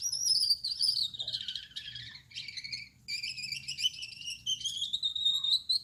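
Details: A male Gouldian finch (yellow back, red head, white chest) sings at night: long high-pitched squeaky, buzzy warbling phrases with rapid trills and slides, one brief gap near the middle, steady low background hum.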